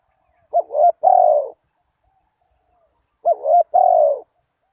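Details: Spotted dove call used to lure wild doves, two identical phrases about two and a half seconds apart, each a short bubbling double coo run into a long low drawn coo.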